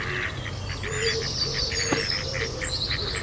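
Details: A female Mallard calling during rough mating at Kirriemuir RSPB reserve gives a rapid series of harsh, nasal quacks, about four per second, over a low background rumble of wind or water.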